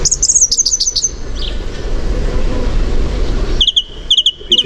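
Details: Song thrush in the UK singing loud, shrill whistled phrases, each repeated three or four times in quick succession, with a steady low rumble underneath; the repetition is the key identification feature.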